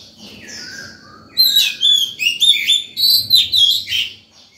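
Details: Fired-up Oriental magpie-robin in morning song, meant for luring wild birds and teaching young birds; soft descending whistles give way to a loud string of varied, rapid ringing notes.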